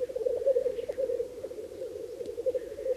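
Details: Black grouse lek in Bažu bog, Slitere National Park, where 66 males were counted together in 2009: a dense, pulsing low bubbling chorus of displaying cocks, continuous for three seconds with no other clear sounds.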